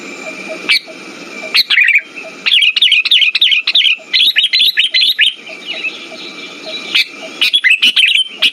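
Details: Sooty-headed bulbul lure sound for stimulating birds that have stopped singing: bursts of bright, chattering chirps high in pitch, broken by short pauses, with a steady faint hiss behind.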